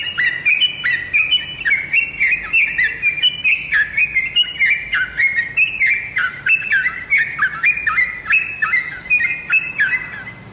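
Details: A tame trucuk, or sooty-headed bulbul, sings steadily: repeated bubbly, downslurred whistles in chattering phrases about every half second, continuing without pause over soft background ticking.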